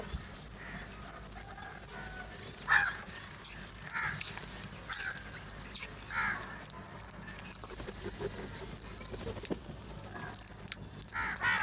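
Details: Crows calling loudly while eating together, giving harsh, hoarse caws in short bursts every second or two over a steady wash of background noise.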